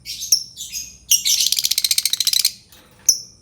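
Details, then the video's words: Albino lovebird calling: a few piercing chirps, then a dense burst of rapid, rattling high chatter lasting over a second, ending with one more sharp squeak. "Suara Burung Lovebird Albino"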